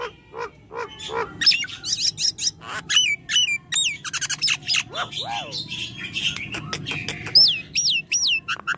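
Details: A Nias hill myna in full, strong song pours out a rapid medley of loud, piercing whistles, slurred up-and-down notes and sharp clicks over a faint low hum. It is offered as a sound to get silent mynas singing.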